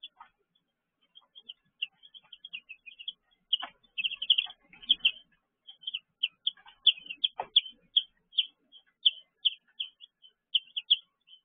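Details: Baby chickens in a brooder, evening: a busy stream of short, high peeps, some in quick clusters, others spaced singly, with several chicks calling together and faint scratching underneath.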